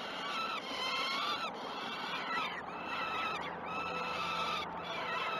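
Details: Peregrine falcon nestlings at Great Spirit Bluff during the first two feeds at 06.20, 12 June 2018, filmed by nest camera. Long, rasping screams, each a second or more, repeat about every two seconds over constant background noise.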